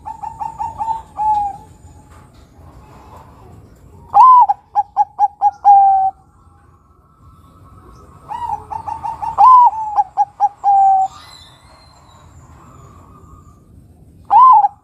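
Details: Perkutut, or zebra dove, of a Bangkok-local crossbred line, singing repeatedly as a lure: a soft phrase, then loud phrases every five seconds or so, each a swooping coo, rapid staccato notes and a drawn-out final note.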